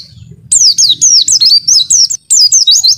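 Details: Lively Oriental white-eye song from a bird kept for tutoring: continuous high whistled notes, each sliding downward, strung into a fast warbling phrase with one brief gap.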